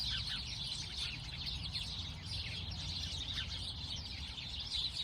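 A flock of sparrows chirps in a dense, continuous chatter of short high notes overlapping one another, over a steady low background rumble.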